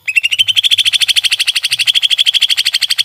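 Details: Greater green leafbird (cucak ijo) masteran song: a fast, even run of sharp chirps near the same pitch, about three per second, rising slightly at the start and continuing steadily throughout.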